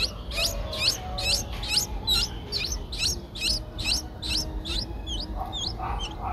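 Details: Streak-eared bulbul nestlings, eight days old, recorded in Ubon Ratchathani, Thailand, on 10 April 2023: a fast series of high, thin, rising chirps repeated about twice a second, then a few scattered squeaky notes, over low background rumble.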